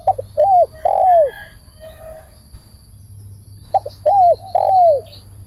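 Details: Spotted dove serving as a trap-cage decoy, two phrases of brief stuttering notes and long descending hollow coos, with a soft murmur between them.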